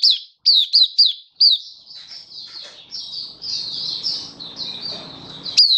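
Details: Oriental white-eye from a bird hobby keeper, recorded 24 February 2023: several crisp, high, falling chirps, then a long, softer, twittering warble with faint background murmur, ending on one sharp note.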